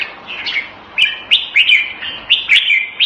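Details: Red-whiskered bulbul (jambul), a hobby songbird, giving quick clipped whistled notes that repeat in a bright, bouncing sequence with sharp clicks between phrases.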